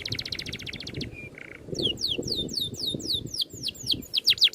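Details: Oriental magpie-robin 'ngerol' tutor song with 'tembakan' shots: quick buzzy trill, a brief flat whistle and buzz, then a series of loud sweeping downslurred whistles over low background noise.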